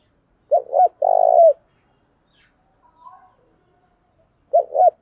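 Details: Decoy spotted dove in thổ voice, calling to stir fights: a phrase of two short coos and a long falling coo, then silence and the opening coos of the next phrase.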